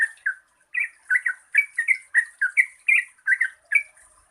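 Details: Yellow-vented bulbul in a lively lure song for reluctant singers, called 'ropel panjang': about a dozen rich, gurgling, slurred notes, each bent up or down, delivered two or three per second over a thin background hiss.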